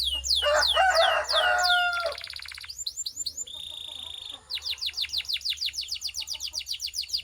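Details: Domestic canary training song: rapid repeated downward-sweeping whistles, then a harsher burst with low tones, followed by a buzzy rattle, a steady whistled note and a fast run of sharp descending chips.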